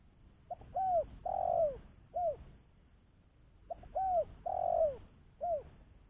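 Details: A decoy spotted dove for attracting wild doves, cooing two complete phrases: short lead note, curved coo, long drawn coo and an arched final coo, repeated after a short break.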